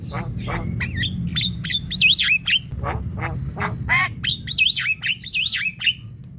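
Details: Javan myna calls for luring birds, bahan and ombyokan: busy mix of harsh squawks, clicks and looping wavering whistles, repeated in bursts, with a constant low rumble behind.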